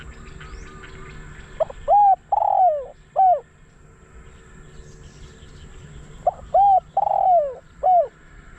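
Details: Spotted dove kept as a decoy bird to lure wild doves, giving two cooing phrases about four seconds apart, each a few short hooted notes around a longer, drawn-out descending coo, over a quiet rural background.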